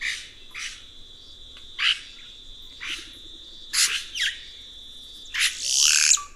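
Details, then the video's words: Red-rumped cacique delivering rapid sharp chip-like notes, some doubled, over a sustained high buzzing tone, closing with a loud rushing, tearing flourish. "Canto do Guaxe - (Cacicus Haemorrhous)"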